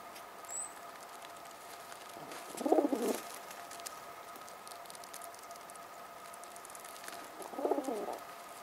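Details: A mother pigeon talks to her chicks while feeding them, giving two brief, low, gurgling coo bursts about five seconds apart, with quiet rustling and a steady hum between them.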